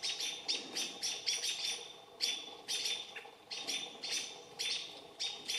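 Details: Agitated American robins harass a barred owl with loud, abrupt, high-pitched scolding notes, delivered in fast pairs and triplets separated by brief gaps.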